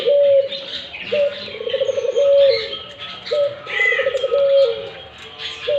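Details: Barbary dove in full voice: rhythmic calls that each open on a clipped note, bubble through a fast trill and finish in a smooth, falling coo, repeated three times, with other small birds chirping faintly.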